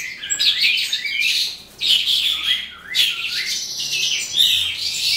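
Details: Eastern calandra lark starting to sing at the end of the day, a rich, scratchy, fast-flowing warble of mixed chirps, rolled notes and slurred whistles, broken by a short pause before resuming in a dense stream.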